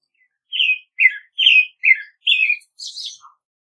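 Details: Series of six rich, whistled phrases from an American robin, alternating higher and lower notes, ending in a softer, thinner, higher squeaky phrase.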